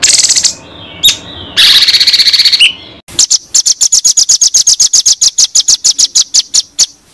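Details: White-rumped shama song from a masteran recording said to make champion contest birds: harsh rasping bursts and a stuttering phrase open the passage, followed by a long, fast string of sharp high chips at about four per second.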